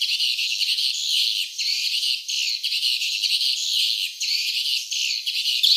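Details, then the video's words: Nesting swiftlets give a steady stream of high, overlapping chirps and twitters that swell and fade in irregular surges every second or so, with nothing heard in the lower range. "suara sarang burung walet ( swiftlet sound )"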